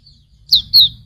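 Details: Hume's white-eye (pleci auriventer) in a training recording for songbirds: two bright, high chirped notes a quarter second apart, each sliding slightly downward, over a faint low rumble.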